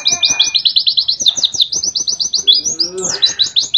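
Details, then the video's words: {'caption': 'West Javan white-eye from Mount Ciremai delivering a continuous run of very high, rapid chirped notes, roughly eight per second, in canary-like trilled phrases with slight pitch jumps.'} "Pleci Nembak Kenarian"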